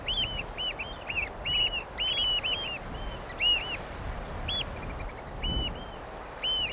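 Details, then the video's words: Eurasian oystercatcher calling in short, loose bursts of sharp, clear kleep notes, several in a quick cluster, then single spaced piping calls, with a soft low rumble underneath. "The song of the Eurasian Oystercatcher"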